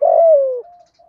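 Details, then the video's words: A single loud spotted dove coo from a decoy bird in the thổ voice, used to stimulate others. It is drawn out over half a second, sliding gently down in pitch, then fades into a faint steady tone. "Chim Cu Mồi Kích Bổi, cu gay giong tho cuc dinh"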